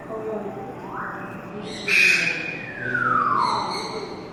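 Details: A captive striped owl, a female born in 2016, gives a short rising note, then a harsh squeal sliding into a long, high whistle falling steadily over about a second; possibly calling for her keeper.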